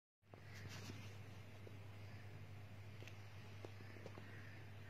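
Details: Steady low hum with scattered soft clicks and faint outdoor rustling, no animal call heard.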